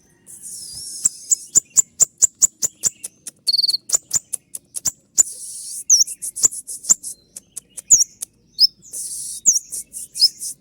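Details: Kolibri ninja, the olive-backed sunbird, in full 'tembakan' song: a long run of rapid, sharp high ticks, hissing bursts and slurred high whistles between them.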